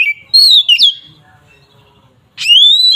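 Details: Oriental magpie-robin (kacer) in agitated 'ngeplong' fighting song used as a lure to provoke rival birds; loud clear whistles, a rising then falling phrase, a pause, then a sharply rising whistle sliding into a sustained note.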